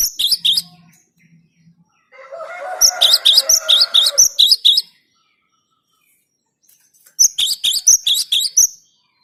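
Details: Cinereous tit singing in a luring recording: three bursts of rapid, high, piercing repeated notes with silent gaps, the middle burst overlaid by a lower, rough mid-pitched sound.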